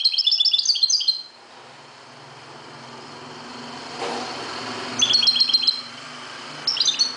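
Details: Moroccan European goldfinch at dawn giving short bursts of fast, high tinkling twitters, separated by pauses, over a low background rumble like passing traffic.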